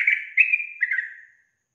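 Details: Yellow-vented bulbul female calling to provoke male replies: two or three smeared, gurgling whistles run together and fading out after about a second.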